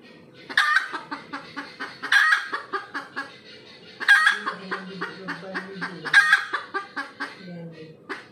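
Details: Post-laying call of a red junglefowl: four hoarse squawks about two seconds apart, each trailed by rhythmic clucks, with a low droning background.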